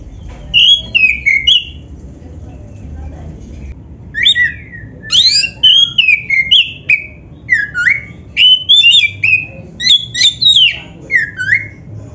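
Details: Oriental magpie-robin, black-breasted kacer, song played to stimulate caged birds to sing: loud varied whistled phrases, rising and falling, with sharp slurred notes in bursts of about half a second, low hum beneath.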